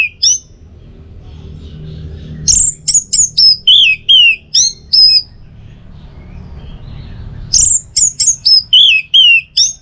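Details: Orange-headed thrush 'teler' song used as tutor and trigger recording: two loud bouts of rapid high chirps mixed with downslurred whistles, about ten notes each, separated by a long quiet gap with low hum.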